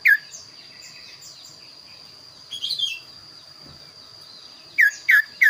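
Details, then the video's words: Lively kaso-kaso bird with an unusual, varied song used as tutoring material: a short slurred note opens, then faint scratchy chatter and a quiet pause, ending with three crisp, descending whistled notes in quick succession, over a constant high whine. "burung kaso kaso gacor suara unik"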